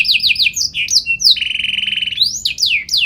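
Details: Canary song: a run of repeated downward-sweeping whistles, a short pure tone, then a steady rapid rattling trill lasting about a second, followed by rising and falling whistled notes.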